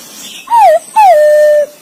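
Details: Calling to its mate, a green pigeon gives two whistles: a short curling note, then a longer one that slides down and stays on a steady tone.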